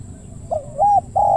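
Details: Wild spotted dove perched in a nearby tree, praised for its big, deep voice: a soft lead-in note rising into two sustained, flat low hoots in quick succession.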